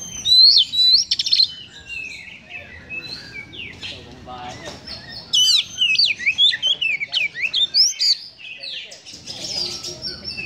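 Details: [['Oriental magpie-robin in full harsh song said to stir up emotion: a long varied run of sharp slurred whistles, zigzag notes and rasping chatter, delivered in quick bursts about twice a second with short pauses.']]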